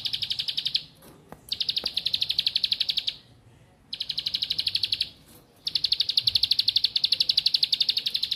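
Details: Bar-winged prinia song, meant to get lazy or learning birds singing actively: long trains of rapid, evenly pulsed high buzzy notes, about four per second, in bursts separated by short gaps.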